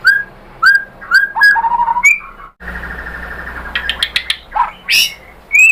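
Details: White-rumped shama song meant to draw out a reply from another bird: spaced clear whistles and trills, interrupted by a burst of harsh rattling, followed by sharp high notes.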